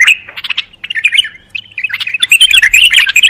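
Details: Bulbul delivering uneven, liquid chattering phrases broken by short pauses, building into a dense, rapid warble toward the close.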